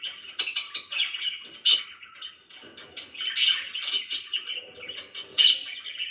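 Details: Pet budgie chirping in lively spurts: sharp squeaky tweets and scratchy chatter, with loud accents early on and a rising flurry later.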